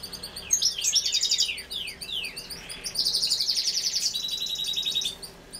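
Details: A female European goldfinch feeding gives bright, tinkling twitters, with quick downward-slurred notes and rapid high trills packed closely together.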